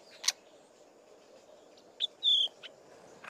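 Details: Fork-tailed Drongo, a male, alternating harsh scratchy song with soft mimicry of other birds; short scratchy bursts and a brief clear whistled note with sparse gaps in a quiet setting.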